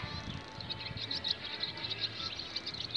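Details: Barn swallow giving its mating call: a continuous, rapid twitter of high, thin chirps and squeaky notes running through the whole stretch, over a steady low rumbling background noise.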